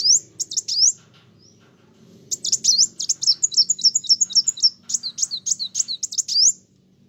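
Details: Sunbird pouring out song that provokes other birds: a few high chirps, a pause, then a long run of rapid, sharp, down-slurred notes at about four per second, over a faint low hum.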